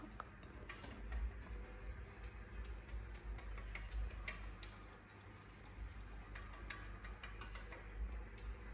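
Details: Irregular mechanical ticks and clicks over a low rumble, with faint speech in the background and no animal voice.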